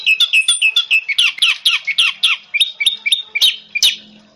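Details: Orange-headed thrush singing, played as therapy audio to prompt silent birds: a rapid series of short, bright, slurred whistles, nearly two per second, broken by harsh upward-swept squeaky notes.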